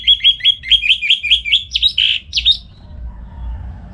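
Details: Orange-headed thrush singing in the morning at a home in Singaraja, North Bali, used as a training recording for songbirds; rapid series of repeated whistled chirps, about eight alike, ending in two louder sweeping notes, then quiet.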